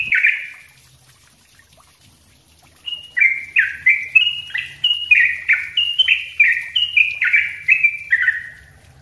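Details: Energetic, close-packed song of a sooty-headed bulbul recorded for training other birds: one bright note, a pause, then a steady string of clear slurred whistles, each dipping or stepping in pitch, with faint low rumble.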